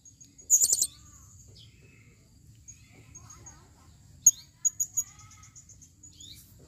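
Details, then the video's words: Female blue-crowned hanging parrot calling, a short burst of four shrill high chirps at the start, a long quiet gap with faint distant birdsong, then a sharp squeak followed by a few thinner high notes. "serindit betina memanggil"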